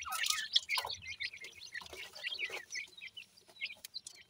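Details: Baby grey francolins at feeding give a quick string of thin, high chirps and peeps, loudest at the start, then thinning into spaced single notes.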